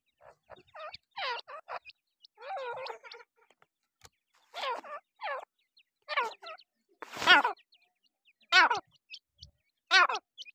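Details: Young black francolins, called Dakhni or Irani teetar, utter loud, quivering chirps in short irregular clusters, about fifty a minute. Occasional sharp clicks and a harsh noisy burst sit among the calls.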